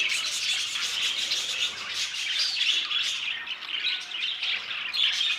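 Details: Aviary budgerigars keep up a busy stream of shrill chirps, brief squawks and warbling notes, many birds calling at once without pause.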